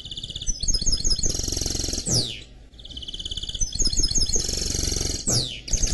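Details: Canary-goldfinch mule repeating the same phrase twice: twittering notes leading into a buzzy high trill and a sharp descending sweep, over a low hum.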